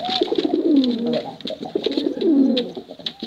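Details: Several pigeons, male and female, give deep burbling coos that dip and rise in short rolled phrases, against scattered ticking sounds.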